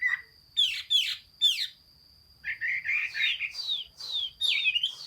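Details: Song of a Chinese hwamei, dated 15 June 2021. Opens with three sharp, down-slurred whistles, then after a pause a fast, rolling run of varied warbled and slurred notes. A steady high tone sits in the background.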